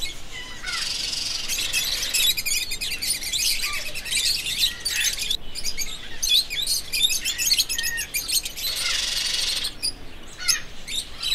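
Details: Flock of parrots chattering: rapid, overlapping high chirps and squeaks in a continuous busy stream, several callers at once, with brief louder flurries.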